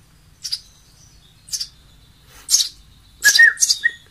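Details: Sparrow chicks being hand-fed give five short, high, scratchy chirps about once a second, the last ones doubled and slightly squeaky, over a quiet background.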